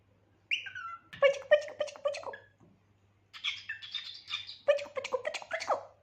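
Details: Pet cockatiel chattering in two bursts of harsh, buzzy squawks and clicks over a low rasping base, opened by a short falling whistle, with a pause between bursts; indoors, no other voices.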